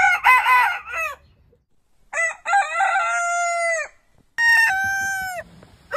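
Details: Heritage-breed rooster crowing repeatedly: three separate crows, each starting with stuttering, wavering syllables and stretching into a steady, drawn-out tone that falls at the close.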